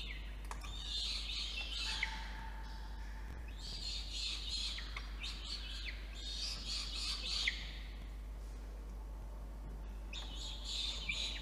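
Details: Begging from a young peregrine falcon as the adult male arrives with dinner at a nest box in Orange, NSW, November 2021, 8:56 PM; rapid, harsh, chattering screeches in repeated bursts, with a short steady lower tone.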